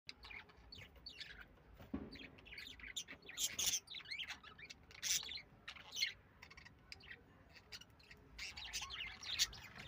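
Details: Lovebirds giving bursts of shrill, squeaky chirps and harsh squawks in irregular clusters, several rapid calls overlapping, with quiet gaps between bursts.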